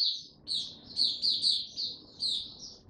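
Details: Short burst of white-eye song, 26 March 2022, warm and very humid: several clear, high, slurred chirps in quick pulses over a noticeable low hiss and rumble in the background.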